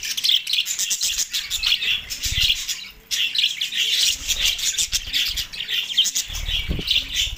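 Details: Budgerigars in breeding excitement, Larkana, Sindh, March 9, 2024: long bouts of high scratchy warbling and squawks, one short lull near three seconds, with occasional low thumps.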